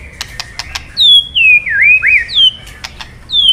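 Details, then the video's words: White-rumped shama male, roused by 'kretekan' crackle calls into singing: a few dry clicks, then long, clear, high whistles that slide down and swoop up in looping strokes, with another whistle starting at the end. "Suara KRETEKAN BURUNG MURAI BANGKITKAN EMOSI MURAI JANTAN KELUARKAN ISIAN! MURAI DIAM JADI NYAUT"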